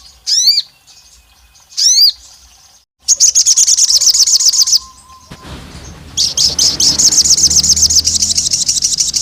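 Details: Olive-backed tailorbird female calling the male, provoking rivals: two short clusters of rising squeaky notes, then two long runs of rapid, shrill pulsed chirping, the last over a low rumbling background.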